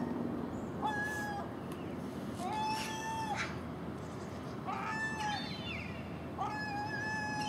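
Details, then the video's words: Common gull among magpies and crows raiding overnight garbage at dawn; four nasal mewing cries at irregular gaps, mixed with short harsh rattling bursts from other birds. "Common Gull Magpie and Crow making noise at early morning"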